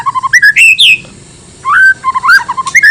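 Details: White-rumped shama song meant to goad other shamas into replying: loud fluty whistles and downslurs mixed with sharp high notes and a long held whistle, in fast varied phrases.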